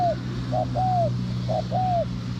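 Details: Close spotted dove, of the kind lured into bird traps, giving two and a half coo-croo phrases: a clipped short note, then a long smooth coo bending downward, over a constant low drone.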